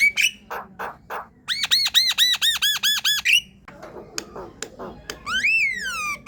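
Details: Lively javan myna (jalak kebo) song used to stimulate a silent myna: grating squawks, about seven evenly repeated arched whistled notes, scattered clicks, and a closing downward-sweeping whistle.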